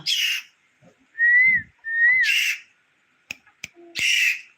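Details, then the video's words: Talking parrot kept at home: two sliding whistles and harsh, raspy squawks, with a couple of sharp clicks in between, as its owner calls to it. "কথা বলা টিয়া পাখি"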